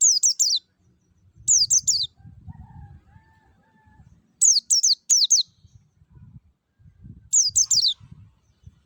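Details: Forest white-eye lure song, played so caged white-eyes start singing: four clusters of three rapid, high, descending chirps spaced a few seconds apart, with a faint hum and one sharp click.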